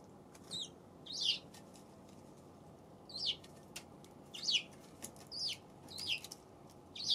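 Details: February 7 Eurasian tree sparrow: a steady series of high downslurred cheeps, about seven over several seconds at irregular spacing, with faint clicks between.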